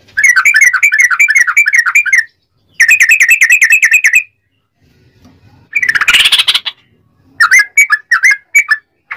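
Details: Long rolling ropel song of a sooty-headed bulbul, used to goad other bulbuls into singing. Two rapid bubbly trills about two seconds each, then a harsh noisy burst and a few spaced chirps.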